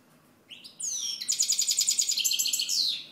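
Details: Goldfinch song beginning with a few soft notes, then a loud rush of high descending slurs and a long, fast series of ringing twitters.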